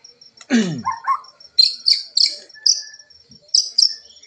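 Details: White-rumped shama, a captive bird of Nias stock put out for early-morning dew exposure, giving short bright high whistled phrases in quick bursts over a thin high tone, brief human voice at start; voice still somewhat hoarse, power not yet developed.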